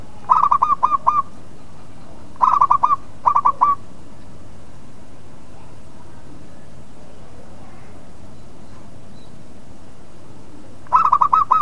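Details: Local zebra dove song used as a lure to stir rival birds to reply: clear, rapid bursts of ringing coos separated by long quiet gaps, three phrases in the first four seconds and one more at the end.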